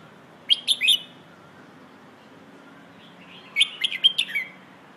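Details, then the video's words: Hoot-style song of a red-whiskered bulbul, meant for training young birds: two quick bursts of clear, jumpy whistled notes about three seconds apart, with near silence and faint hum between them. "เพลงโห่ เสียงฝึกร้องนกกรงหัวจุก"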